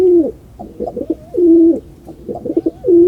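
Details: Low, throaty pigeon coos in a steady cycle: short broken notes followed by a sustained humming tone, heard about three times in quick succession, with faint low background rumble.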